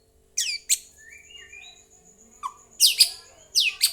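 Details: White-rumped shama lure song, meant to make other birds reply and sing: sharp descending sweeps, a few soft mid-pitched notes, then a quick cluster of loud high sweeping notes, with a steady faint high tone behind.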